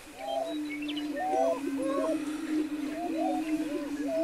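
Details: Lek chorus of greater prairie-chickens near Wray, Colorado, in April 2011: a continuous deep booming hum underlies repeated looping whooping calls and a few higher chatters, the birds displaying together.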